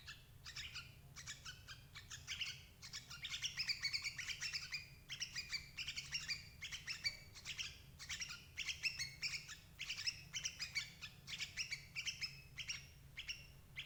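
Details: Lure recording of sooty-headed bulbul for trapping adult birds: continuous lively chattering of bright, clipped notes packed closely together throughout, with a steady low background hum.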